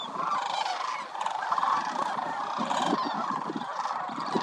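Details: A wintering flock of sandhill cranes, over 20,000 strong, at the Willcox Playa Wildlife Area: dense rolling, rattling calls overlap, with brief clearer trumpet notes over the steady din.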